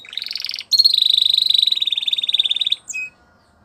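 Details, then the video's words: Spanish Timbrado canary training song: a short rapid rattle, a brief pause, then a long steady metallic trill of fast even pulses lasting about two seconds, closing with a short bright note. "Spanish Timbrado Canary | Canary Training Song"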